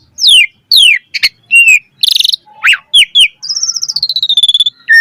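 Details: Varied lure song of an Asian pied starling, used to train other starlings to sing: two falling whistles, a sharp click, a harsh burst, a swooping slur, then a long rapid pulsing trill that slowly descends.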